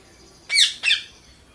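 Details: Indian ringneck parakeet kept as a pet, playing: two harsh, high, raspy squawks in quick succession, each about a third of a second long.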